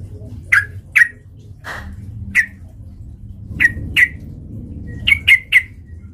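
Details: Yellow-vented bulbul, calling actively as bait to provoke fighting. Short, sharp chirps come singly at irregular gaps, ending with a quick cluster of three, over a low rumbling background.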